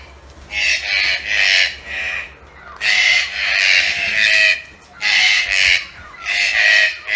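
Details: Captive pet green-billed toucans, also called red-breasted toucans, giving harsh grating croaks in uneven bursts, some short and paired, one drawn out over nearly two seconds, separated by brief quiet gaps.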